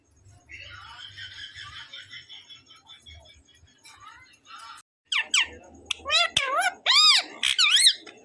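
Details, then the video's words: Pet talking parrot in a small room: soft murmured babbling first, then after a short pause a run of loud arched harmonic calls, several per second, rising and falling in pitch. "parrot real sound l cute parrot talking everything"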